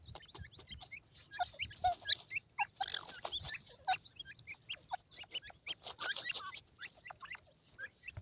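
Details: White grey francolin chicks busy with feed, producing a lively mix of short peeps, downslurred chirps and hissy rustling bursts, irregular throughout and slightly quieter toward the end.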